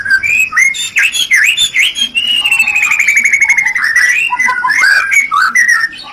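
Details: White-rumped shama singing 'rencetan' to stimulate mating: loud, rich, varied whistles and sweeping notes, with a fast run of rapidly repeated descending notes in the middle and chattering phrases at the end.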